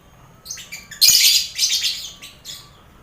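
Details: Colony aviary of lovebirds alongside finches and quail, a training recording for contest birds: soft chips building into a loud, harsh burst of shrill chattering that fades with scattered squeaks.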